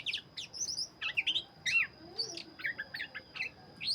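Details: Black-chested Oriental magpie-robin in full, lively song: a fast run of varied whistled phrases and sharp chirps, with short pauses between the bursts. A thin steady high tone runs beneath throughout.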